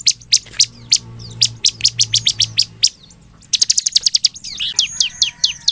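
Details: Bar-winged prinia in vigorous song, used to lure rival prinias into answering: sharp high chips in irregular runs, a brief silence, then a fast dense burst followed by thinner twitters.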